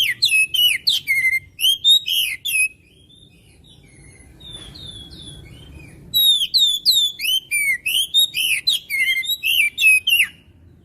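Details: Oriental magpie-robin in vigorous song: rapid sequences of sharp, sweeping whistles and chirps delivered about three per second, a quiet gap of several seconds, then another energetic run.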